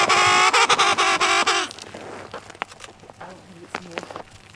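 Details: Emperor penguin on the sea ice between Cape Evans and Cape Royds, calling loudly with a stacked harmonic, slightly pulsing call for under two seconds, then near quiet with soft crunching sounds.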